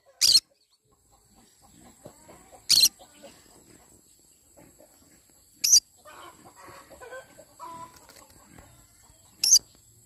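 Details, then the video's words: Morning calls of a yellow-sided conure: four short, piercing, harsh screeches spaced two to four seconds apart over quiet background with faint chirps and low noises between them. "Yellow sided conure singing sounds in the morning"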